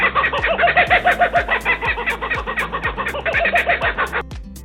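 A kookaburra gives a loud, raucous cackling laugh, rapid chuckling notes about three a second rolling on for four seconds before stopping abruptly, over faint low thumps.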